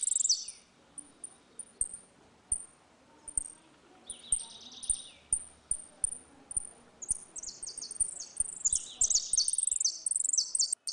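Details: Dispute between singing Saffron finches in the ringing 'retinido' style used to tutor young birds: evenly spaced piercing high chips for several seconds, a brief trilled phrase, then a long energetic run of fast shimmering trills.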